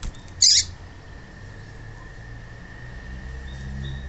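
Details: A single brief, harsh, very high chirp from a female yellow-bellied seedeater, meant to excite males into song, followed by faint thin notes and a constant background tone.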